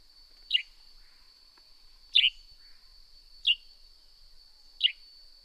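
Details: Four clipped, descending chirps of a Northern grey-headed sparrow at irregular intervals of one to one and a half seconds, set against a continuous high, even whine.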